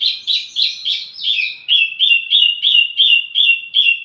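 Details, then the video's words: ['Wambi mini song, used to draw in and teach tledekan: a string of fuzzy chirps shifting into a steady, even series of sweet whistled notes repeated almost three times a second.'] "wambi mini burung pancingan sekaligus masteran buat tledekan anda"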